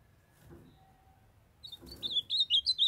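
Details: Ultramarine grosbeak, a captive female calling to stimulate a young male who sings: after quiet rustling, a burst of clear, high whistled notes, bright and slurred, rising and falling in quick succession.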